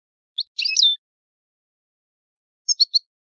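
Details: European goldfinch, Italian type, in an old-style song; two short bursts of bright twittering notes, the first a longer chattering phrase, the second three quick chirps, with silence between.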